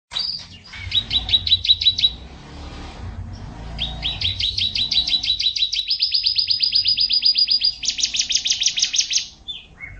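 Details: A young canary just beginning to learn its song sings rapid trilled phrases, each a fast run of bright high notes, shifting through several tours with short pauses between.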